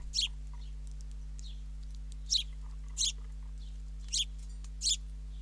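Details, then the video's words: Fledgling sparrow being fed by its father at a country bird camera in Ram On, Israel; short high harsh chirps in bursts, about five in five seconds, over a constant low electrical hum. "Dad feeding a fledling sparrow"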